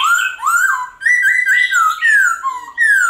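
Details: Silver-eared laughingthrush song played to stimulate captive birds to sing: loud clear whistled phrases sliding down and up, a run of rich slurred notes with strong harmonics, broken by short pauses.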